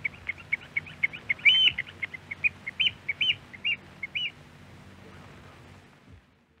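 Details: Eurasian oystercatcher from a Norwegian radio archive recording, calling in loud shrill piping notes, some clipped, some drawn out and downslurred, fading into quiet after about four seconds.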